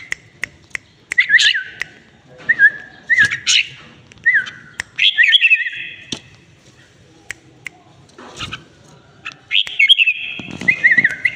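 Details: Red-whiskered bulbul, a tame bird, repeating varied whistled phrases of falling slurred notes and buzzy higher chirps in separate bursts, with sharp clicks scattered throughout.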